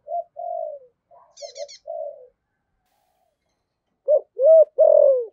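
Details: Decoy spotted dove in the thổ voice: soft low coos first, then a silent stretch and three loud rounded coo notes. A brief high twittering from another bird cuts in early.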